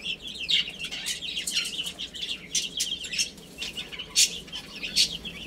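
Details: Young chickens playing and eating keep up a continuous, softer twittering of high peeps from many chicks. A few louder shrill notes stand out near the end over faint rustling.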